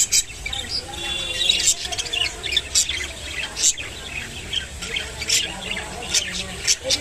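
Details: Rainbow budgerigar feeding on water spinach, uttering short high squawks and chirps between scattered clicks, with a soft murmur of background chatter.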